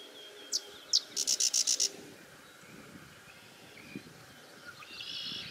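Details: Sedge wren song recorded in Kalamazoo, Michigan, on July 7, 2019: two sharp, high introductory chips, then a quick dry staccato chatter of about six notes, with a soft buzzy sound near the end.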